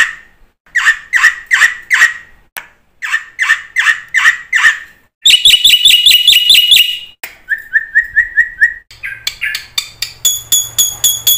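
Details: Varied black-winged myna song used as a tutor to start other mynas singing: slurred whistled notes in groups, a quick buzzy run, a string of short even whistles, and a closing series of bright, ringing, rattling notes.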